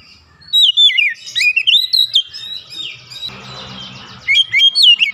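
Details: Oriental magpie-robin roused to song while agitated: looping whistled phrases with wavering slurs, a stretch of softer mixed chatter, then renewed clear whistles at the end.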